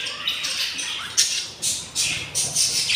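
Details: Hungry budgerigar chicks, four days old, from a breeding clutch where three of eight eggs hatched; harsh, raspy squawking bursts repeated several times a second, loud and hissing, with little else audible.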